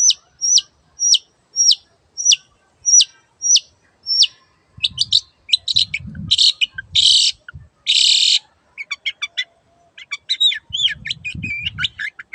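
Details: Long-tailed shrike singing: a steady series of identical sharp whistled notes repeated about every half second, then harsher buzzy and scratchy bursts, with faint low rumbling underneath.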